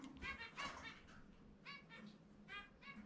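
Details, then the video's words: A pet zebra finch, out of its cage for free-flight time indoors, sings its distinctive song of short nasal, buzzy notes, about two or three each second, over a low indoor hum. "キンカチョウ 個性的な鳴き声・さえずり ちゅみちゅみぺー"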